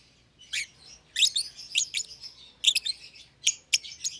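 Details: Two young caged lovebirds, a euwing green opaline and a red-eyed albino, kept as a pair in their own cage after feeding each other; sharp, high chirps come in short bursts and clusters with brief quiet gaps between.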